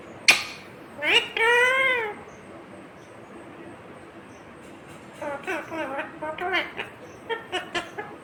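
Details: Talking Indian ringneck parakeet imitating "mummy papa": a sharp note and a drawn-out arching syllable, a pause, then a rapid run of short chattering word-like syllables.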